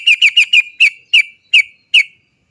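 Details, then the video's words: Sooty-headed bulbul, locally trucuk, used as a lure to prompt other trucuk birds to sing: a series of eight sharp, bright 'cok' notes, fast at first then spacing out, each a short downward-slurred chirp. "TRUCUK GACOR ROPEL PANJANG... suara cok cok cok ngerol PANCINGAN burung trucukan agar cepat bunyi"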